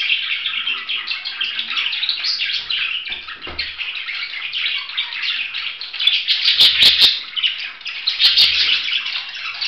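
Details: Budgerigar keeping up a busy, scratchy warble of rapid chirps and squeaks, growing louder in the second half, where several sharp clicking taps cut through the chatter.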